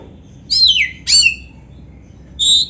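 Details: Kacer song with canary isian from an Oriental magpie-robin: two loud, downward-sweeping whistled notes, a pause, then one steady high whistle.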